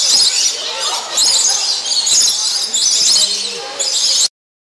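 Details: Many lorikeets at Bird Kingdom, Niagara Falls, feeding on nectar and calling. Piercing, overlapping shrieks and squeals form a constant noisy chorus that cuts off abruptly near the end.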